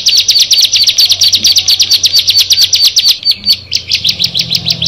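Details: Six caged bar-winged prinias singing together: loud, rapid, sharp high notes repeated about twice per second in a long, driving series, with a low hum in the background.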